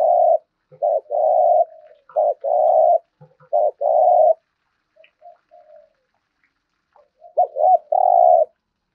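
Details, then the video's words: Repeated low coos from a daily-trained spotted dove decoy in 'thúc gù' style, a short note then a longer steady one, given in quick succession with a brief lull before a final looping phrase. "Tiếng chim cu gáy thúc gù cực đỉnh"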